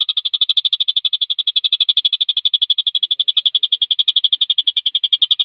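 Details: Javan kingfisher singing rapidly and tightly, as tutoring audio for competition birds. A continuous machine-gun rattle of crisp high notes runs at roughly ten notes per second with no pauses.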